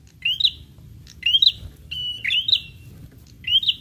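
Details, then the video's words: Lure call that prinias answer: four short, sharp upslurred chirps ending in quick twitters, roughly one per second, with a faint low background rumble. "PRENJAK LANGSUNG NYAUT DENGAR SUARA PIKAT INI"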